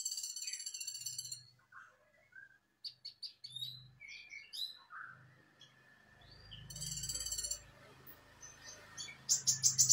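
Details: Brown-throated sunbird tembakan burst song, used as a lure so other sunbirds sing quickly: rapid high buzzy trills and scattered sharp chirps and slurred whistles, with a low rumbling background noise in the second half.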